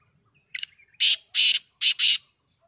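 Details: Black francolin (titar) call dated 5 7 2023: a brief faint note, then three loud, harsh, rasping bursts in quick succession, the last one doubled, with a quiet background.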